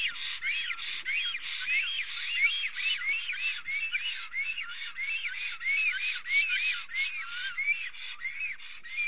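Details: Pair of black storks at their Estonian nest, singing together upon arrival, 25 June 2020 at 3:03 pm; dense overlapping series of wheezy, curved whistles, roughly one and a half per second, two voices interleaving throughout.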